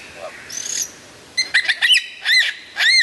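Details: Lyrebird singing loudly and clearly: a short thin whistle, then a quick run of sharp sweeping notes and two ringing, arched whistled phrases near the end, with quiet pauses between.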